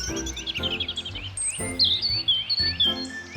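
A robin sings high, thin, warbling phrases of quick varied notes, shifting pitch from phrase to phrase, over soft background music.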